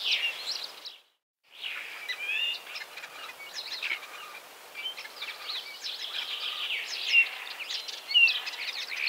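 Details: Common starling (Sturnus vulgaris), song.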